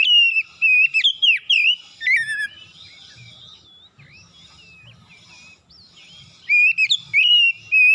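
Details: An oriental magpie-robin sings insistently in the morning, showing off its fill phrases: rapid bursts of varied whistles, slurs and twitters, a quiet gap of about four seconds, then renewed loud whistled phrases.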